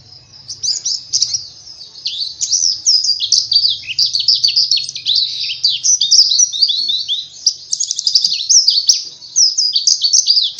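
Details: White-eye (pleci) singing a long, unbroken high twittering song of rapid, sharp chirps and quick down-slurred notes, dense and continuous throughout, with a faint low hum underneath.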